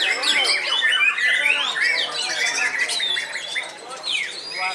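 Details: Caged white-rumped shama, an old bird still singing keenly in its hanging cage, pours out rapid varied phrases: sharp upward and downward whistled slurs, buzzy chatter and scratchy notes, loud and nearly nonstop, easing slightly near the end.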